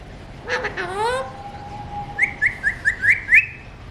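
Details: Talking Alexandrine parakeet: a drawn-out falling then level whistled phrase, followed by six quick identical chirped syllables about every quarter second.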